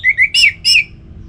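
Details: Orange-headed thrush song, played to prompt kept birds to sing: two short whistled notes, then two louder, richer slurred phrases falling in pitch, all within about one second, with a faint low hum beneath.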